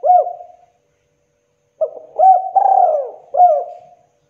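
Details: Spotted dove, a local bird in good voice, calling to stir young doves into calling: a short coo, a pause, then a hurried series of hooked notes and a long rolling coo, ending on a clipped note.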